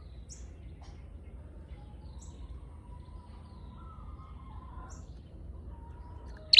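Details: Flowerpecker lure call: short, sharp, very high ticking notes, each a brief chip, spaced roughly two seconds apart over a quiet steady low hum, ending in one louder high burst.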